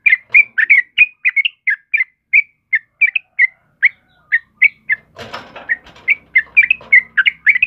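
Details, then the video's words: Energetically singing yellow-vented bulbul used to train caged birds: fast, evenly spaced bright chirped notes, about three per second, broken midway by a brief burst of harsh noise before the chirping resumes. "SUARA TRUCUKAN KEBO GACOR || Suara Burung Trucukan Kebo Asli Gacor"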